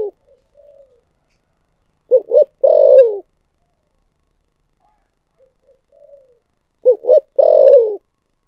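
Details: Spotted dove in the 'thổ sấm' cooing style: a faint soft lead note, then two short looping hoots and a long, slightly burry coo that slides downward, the phrase given twice about five seconds apart in a quiet setting.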